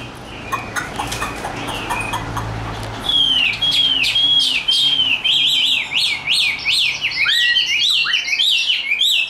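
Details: Hand-carried tame hwamei in a cage, a fighting bird singing high: soft scattered notes at first, then a loud series of clear rising whistles repeated steadily, breaking into fast, jumbled, sharply slurred phrases.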